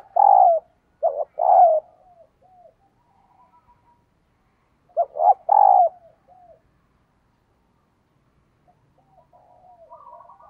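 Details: Female dove luring males with two coo phrases roughly five seconds apart, each short stuttered notes then a fuller descending coo, with faint soft notes trailing between phrases.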